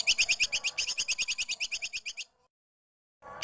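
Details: Female cucak kinoi and tupai kekes squirrel combined as clear tutoring audio for songbirds: a two-second string of rapid, shrill chirps that gradually fades, a pause, then another chirp burst begins.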